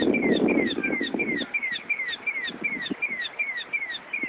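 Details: Mockingbird mimicking a car alarm near Brighton Volunteer Ambulance, Brighton, New York: a steady run of descending slurred whistles repeated about three times a second, with low background rumble early on.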